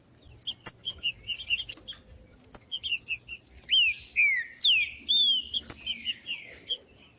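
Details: Wild green-winged saltator in the woods, used to rouse captive birds. It gives a run of rich, downward-slurred whistled phrases in the second half, after scattered sharp high chirps from other birds, with a constant thin high hum behind.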